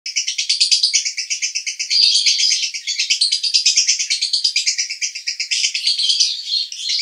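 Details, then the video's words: Male lovebird from Cibinong, Bogor, singing in the konslet style: a continuous, fast, buzzy chattering trill of high notes, pulsing about three times a second for the full seven seconds without a break. "Master Lovebird Jantan Konslet"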